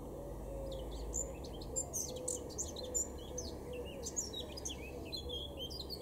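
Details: A male blackcap in a garden at Weener, Germany, April 2022, sings a rambling series of clipped high notes and short slurred whistles throughout, with low background hum.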